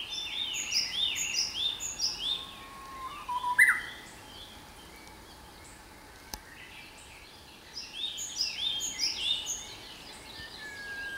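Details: Japanese bush warbler singing in spring at Sayama Park, Tokyo, Japan, on 29 April 2017: a low, steady whistle that jumps into a short, loud, rising flourish. Many other small birds chirp high and thin throughout, over a steady background hum.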